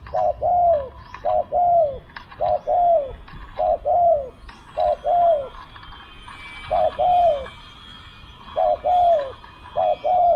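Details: Spotted dove cooing during decoy luring: paired notes, a short coo followed by a longer, down-slurred one, repeated in about seven pairs over ten seconds with short gaps, with faint chirps of other birds behind.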